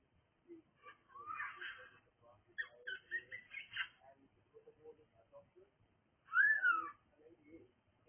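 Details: Cockatiel making noise indoors: three bursts of chirpy, warbling calls, the last and loudest a clear whistled note that rises then falls, with quiet gaps and faint low sounds between bursts.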